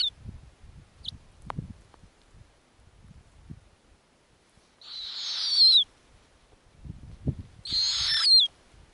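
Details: Arctic snowy owl owlets at the nest, the mother tearing up lemmings for them: rustling and soft knocks at first, then two strident, hissing screeches about three seconds apart, each ending with a high falling sweep.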